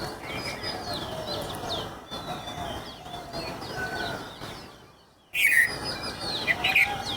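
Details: Birds chirping in the late afternoon as the sun sets: busy, overlapping high twitters and short whistled notes from several birds, with a brief quiet gap and then a louder burst of sharp chirps.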